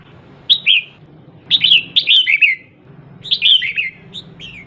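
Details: Female red-whiskered bulbul calling to stimulate males, a lure recording for kept birds. Short bursts of slurred, descending whistled notes around the upper mid-range, grouped in three phrases of two to four notes with pauses between, over faint low hum.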